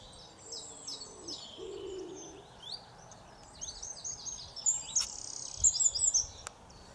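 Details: A common chiffchaff, seen at Charnwood Waters, Loughborough, UK, sings rapid, high, thin notes in an uneven stream over steady background noise, with a brief low hum partway through.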